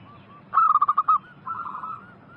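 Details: Local zebra dove on a lure recording to make wild doves respond: one loud burst of fast staccato notes, then a softer warbling answer from another dove.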